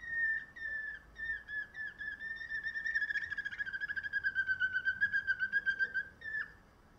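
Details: A canary bred for song gives short whistled notes at a steady pitch that run into a smooth pulsed roll, repeating nearly four times a second before ending with a dipping note.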